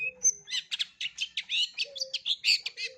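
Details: Long-tailed shrike giving a varied song meant as learning material for young birds: a rapid run of scratchy, buzzy chirps and squeaky notes, interspersed with a few thin whistled tones.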